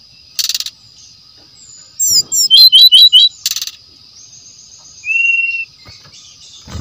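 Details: Brown-chested jungle flycatcher singing in its natural forest home, song used as a lure. Buzzy bursts, a fast twittering trill of high notes, then a steady flat whistle after a pause.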